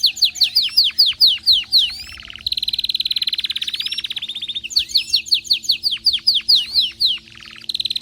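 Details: An excited canary repeats runs of loud falling whistles, then a sustained rapid trill of over two seconds, another run of descending sweeps, and a short buzzy rattle with a fresh trill at the end.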